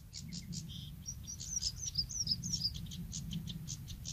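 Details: Bluethroat singing at Woumen in 2018: a quick, varied run of high, thin notes and ringing trills, about three per second, over a steady low rumble of wind or distant traffic.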